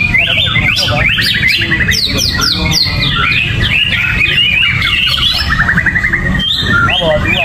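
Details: Gerabakan song from a greater green leafbird without banana or cage cover: harsh squawky notes mixed with rapid downward-sweeping whistles and chattering trills, over faint low noise.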